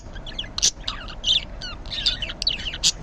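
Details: Green budgerigar in the morning, giving a busy run of short chirps and warbled notes, some sharp clicks and brief falling whistles, densely overlapping with no pauses.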